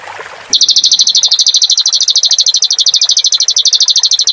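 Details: Clamorous reed warbler, recorded as training song for cage birds: after brief faint noise, a loud, even, rapid trill of identical high chirps, roughly three per second, runs steadily to the end.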